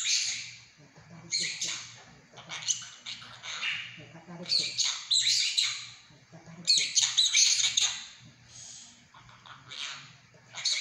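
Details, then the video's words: Pet monk parakeet talking indoors, mimicking Mandarin words and phrases: bursts of raspy, high-pitched squawky chatter every second or two, separated by short pauses, with a low steady hum underneath. "說話合輯〈和尚鸚鵡第3集〉。Talking Compilation〈 Monk parakeet Episode 3〉"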